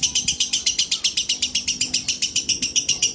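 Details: Rapid, bright, buzzy chirps from a female lovebird at sunset, repeated almost four times a second at an even pace, with a faint low hum underneath.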